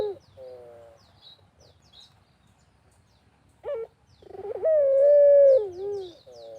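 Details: Pelung-type barbary dove calling vigorously in the countryside; soft low wavering notes, then a short sharp note, a pulsed stutter and one long drawn-out coo ending in a falling slur, with faint chirps of other birds.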